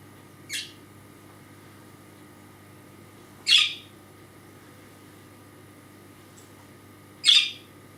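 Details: Demanding pet budgerigar, injured wings, in a small indoor cage, calls "Kärrö!" whenever it loses sight of its owner. Three harsh, scratchy squawks, about three seconds apart, the later two louder, over a faint steady hum.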